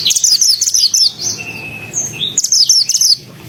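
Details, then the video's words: Pied bushchat singing energetically as a master recording for training white-rumped shamas: two bursts of rapid, high, scratchy chirped notes, separated by a thin sustained whistle and quieter twitters, with faint low background rumble. "Masteran suara burung mantenan gacor nembak rapet"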